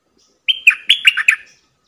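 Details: Bulbul used as a decoy to lure wild birds into fighting, singing one short bubbly phrase of five or six liquid, falling whistled notes after a brief silence.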